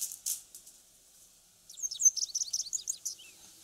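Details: Japanese wagtail singing, perched on antennas in residential areas once the weather warms; a couple of short high chirps, a pause, then a lively rapid sequence of clear twittering notes.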